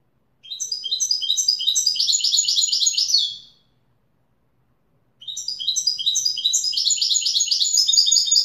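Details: Widani-style song of a European goldfinch: two long phrases of fast, jingling, metallic twitters, each about three seconds long, separated by a short pause.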